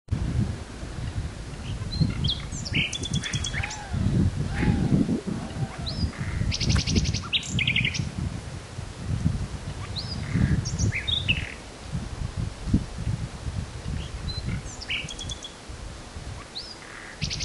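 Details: Small bird's spring song in Pigeon Valley, Cappadocia, Turkey, in April 2013; not a pigeon. Scattered high chirps and short twittering phrases over a steady low rumble of wind.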